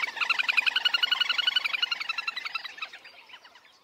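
A little grebe gives a rapid, high, whinnying trill of fast repeated notes that slows slightly and fades away over about three seconds.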